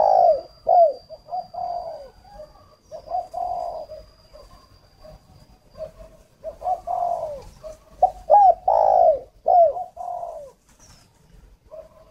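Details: Decoy spotted dove kept for luring wild doves in northern Vietnam, giving repeated low, mellow coos in uneven groups, some notes short and clipped, others drawn out, with pauses between phrases.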